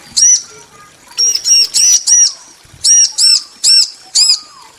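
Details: Bar-winged prinia, male and female answering each other: sharp high chirps with arched, ringing notes in short spaced bursts, about eight notes in under five seconds, with brief pauses between groups.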